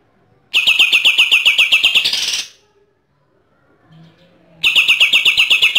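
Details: Bornean green leafbird, native to East Kalimantan on Borneo, delivers fast 'AK-47' shooting bursts: a volley of clipped repeated notes, roughly four per second, rising into a brighter squeal, silence, then a fresh volley.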